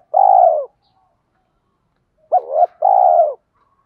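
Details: Spotted dove cooing used in bird training, male and female birds included. A long steady coo, almost two seconds of quiet, then a sharp rising note with wavering tone followed by another sustained coo falling at its end.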